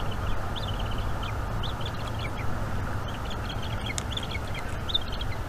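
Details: Wild bald eagle chick being fed squirrel by its mother at a Northeast Florida nest, evening, May 2021. Steady run of high, squeaky chirped notes throughout, partly buried under constant low wind noise.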